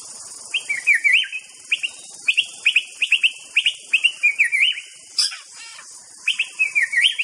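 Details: White-rumped shama song: a long run of bright, whistled notes repeated in quick succession, each a short rising-and-falling slur, with one brief pause before a final flourish, against a constant high hiss.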